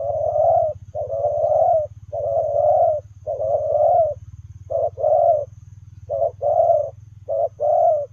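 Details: Spotted dove, Lèo rồng cooing style, cooing while running: a long series of rough, mid-pitched coos, early ones long and evenly spaced, later ones short-long pairs. A faint low mechanical throb is constant beneath.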